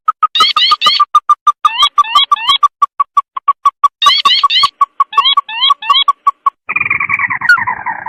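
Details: Red-eyed sintar (lantung) lure call used for bird trapping at night: rapid, evenly spaced mid-pitched ticks throughout, with bursts of higher rising, slurred notes mixed in; a harsher, noisier burst near the end.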